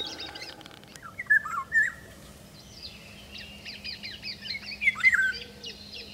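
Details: Eurasian golden oriole recorded in 2017, singing two short fluting, yodelling whistled phrases about three seconds apart, while other songbirds twitter higher and softer in the background over a steady low hum.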